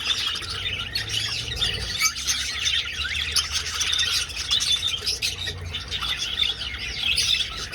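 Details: Flock of budgerigars flying through an old aviary. Unbroken high chattering and scratchy squawks from many birds, fairly even in loudness throughout.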